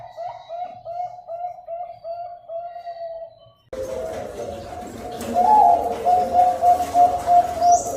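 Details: Zebra dove song, a master recording for training birds that seldom sing. A steady series of soft cooing notes comes first. Then, over a noisier background, louder, higher trilled coos repeat rhythmically.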